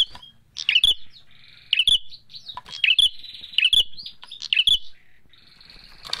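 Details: Fighting Bar-winged prinias: a rapid run of high chirping bursts with sharp snapping ticks, about five bursts in a few seconds, separated by short thin trilling notes.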